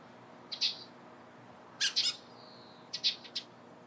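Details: Eurasian tree sparrow in the morning, giving three short groups of crisp chirps, each group of two or three notes, separated by pauses of about a second.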